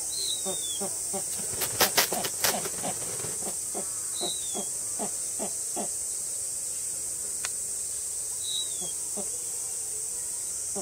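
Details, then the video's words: A Snowy Owl at Tama Zoo, August 2012, threatening to protect its chick: sharp dry snaps and clicks in a quick burst, then spaced single clacks with thin high squeaks, over a steady high hiss. "威嚇するシロフクロウ Snowy Owl Threaten"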